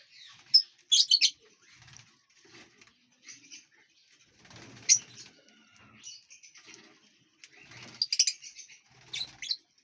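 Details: Lovebirds flying freely and eating seeds, fruits and vegetables in a large aviary; sharp, shrill high chirps come in scattered bursts over ten seconds, with soft fluttering sounds between them.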